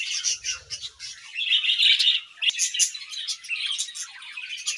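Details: Morning aviary with two budgerigars giving a steady, high, scratchy warble of rapid chirps and clicks, one brief sharp tick near the middle.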